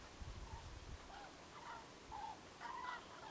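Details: Common cranes foraging in a wintry field; after a low rumble at the start, a few soft, slightly rising trumpet-like notes, the last two clearer and longer.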